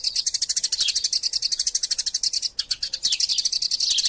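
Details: Eurasian tree sparrow, fighting and chattering, recorded as a master song for training other birds: a dense, unbroken stream of rapid high chirps with short downward-sweeping notes and a brief pause mid-way.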